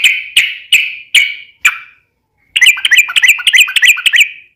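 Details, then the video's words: Yellow-vented bulbul in full vigorous song, a long rapid 'ropel' phrase used as a lure: five loud separate chirps, a pause, then a fast bubbling run of warbled notes. "trucukan gacor ROPEL PANJANG"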